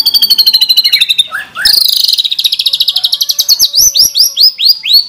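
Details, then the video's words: White-rumped shama song in the 'full isian tembakan' style for prompting shamas to sing: a long high rapid trill, a pair of low slurred notes, then a buzzy stutter and a series of rising hooked whistles. "Pancingan Masteran MP3 Murai Batu Gacor Full Isian Tembakan Mewah"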